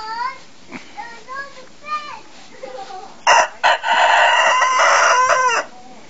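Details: Rooster in a garden giving a loud, harsh, drawn-out crow of about two and a half seconds, preceded by several short rising clucks and clucking notes; some brief voices nearby.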